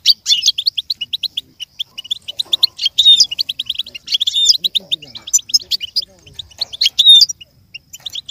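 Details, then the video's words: Caged goldfinch singing a rapid, busy stream of high twittering notes, with short clear whistles and buzzy trills bunched in dense bursts, a tutoring recording meant to stimulate a young goldfinch to learn and imitate song. "With stimulation for the goldfinch to learn and imitate sounds"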